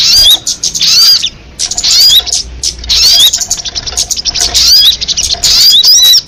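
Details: Crested jay calling almost continuously in scratchy, piercing chatter interwoven with upward-sweeping whistled notes, with one brief pause early on.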